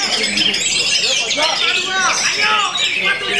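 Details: Orange-headed thrush, a songbird-contest singer, in a rich, rambling song of quick, varied whistles and sweeping slurred notes, delivered without pause over a steady hissy background.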